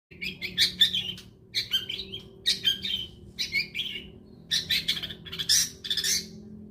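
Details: Long-tailed shrike song used as a lure recording to prompt other shrikes to sing: bursts of rapid, high chirps and squeaky twittering notes in clusters about every half second, with short pauses, over a faint steady low hum.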